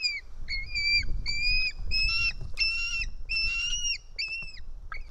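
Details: White-tailed eagle chick in an Estonian nest on 4 July 2018 screams while fed fish; a fast series of high, flat whistled squeals with falling ends, over low rumbling wind or handling noise.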